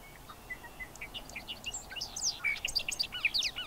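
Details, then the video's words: Bobolink singing: low flat notes give way to a fast, bubbling, tumbling stream of high metallic, banjo-like tinkling notes, growing louder and denser through the phrase. "Bobolink calls and songs"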